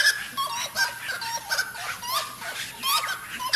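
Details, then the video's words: Saracura calling: loud, raucous chorus of repeated harsh, cackling notes with descending whistled tones, bursts coming roughly every half second in a rhythmic, overlapping series. "Olha o canto dá saracura"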